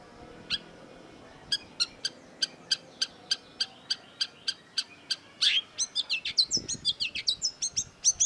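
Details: Cendet, the long-tailed shrike, in a masteran recording: a run of evenly spaced ticking clicks speeds up, then breaks into a busy burst of varied chattering and squeaky notes.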